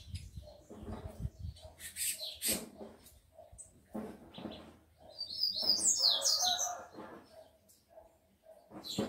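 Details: Tico-tico males, kept by a breeder and worked up with females; rapid high chirps over low rumbling, building into a loud burst of tangled twittering before fading.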